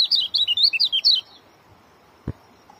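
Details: Oriental white-eye giving a quick, dense phrase of bright, wavering high whistles lasting just over a second, then quiet with one dull thump.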